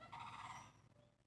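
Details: Sandhill crane heard in the background in Florida on a warm day: a single rolling, trumpeting rattle lasting under a second, then it trails off into quiet background.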